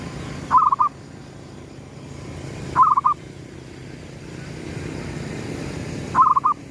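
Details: Zebra dove, a 'gedong mengo' lure call, cooing as the sun rises: three short bursts of quick bubbling coo notes spaced about two to three seconds apart over a steady low background hum.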